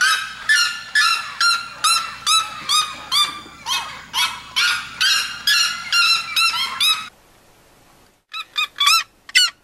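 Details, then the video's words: Red-legged seriema singing: a fast series of loud, harsh yelping notes, about two per second, for seven seconds, then a short silence and a few sharper yelps at the end. "O canto da Seriema do Mato Grosso"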